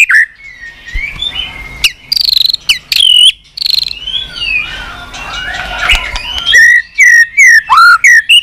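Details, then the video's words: Varied many-voiced song of a White-rumped shama, used to rouse a listless bird into singing. Sliding whistles and harsh bursts are mixed with softer warbling, and a string of quick, looping whistled notes follows at the end. "Chòe lửa tạch liên tục"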